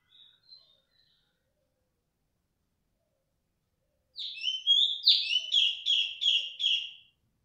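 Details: Loud, persistent female cungkok: a brief faint whistle, a long pause, then a rapid run of about eight sharp, downslurred whistled notes, the later ones evenly repeated and slightly lower before stopping abruptly.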